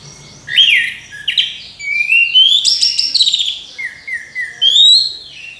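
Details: Orange-headed thrush with a loud, clear melodious song of rising whistles, rapid trills and slurred notes, phrases following closely one after another.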